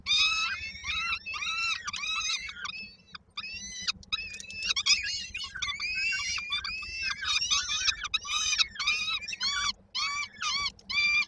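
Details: Koszalin peregrine falcon nestlings, 19 May 2022, calling for food as they await their mother's return with dinner: steady run of shrill, grating scream notes, each short and repeated in quick succession, hardly pausing throughout.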